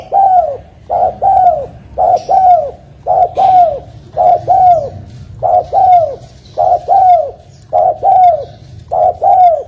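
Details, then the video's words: Spotted dove lure call used for trapping: low, hollow coos in paired phrases, a short note followed by a longer falling coo, repeated steadily about once a second, over a faint low background rumble. "Suara burung tekukur, Langsung Nyaut100%Jitu untuk pikat"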